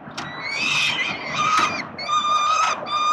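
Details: Begging peregrine falcon chicks as the male feeds them, Melbourne, Australia, October 2021: strained, harmonic cries in short bursts, some sliding and wavering, roughly one per second, overlapping voices.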